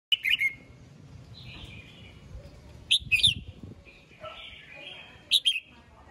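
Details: Red-whiskered bulbul singing in the morning to call the flock: loud, sharp chirpy bursts with slurred whistled phrases between them, recurring roughly every two to three seconds over a faint low rumble.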